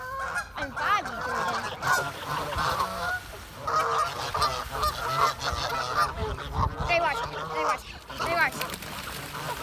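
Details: Geese calling: a dense, continuous chorus of overlapping honks and cackles from many birds, over a low rumbling background.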